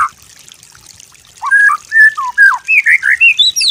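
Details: White-rumped shama master song for training: after a quiet start, a sequence of clear slurred whistles, each note distinct, climbing progressively higher toward the end.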